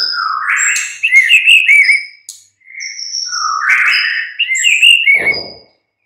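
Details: Mid-morning lure song of a white-rumped shama: rich looping whistled phrases sliding up and down, high pure notes between, a short pause, then another warbled run ending in a brief harsh rasp.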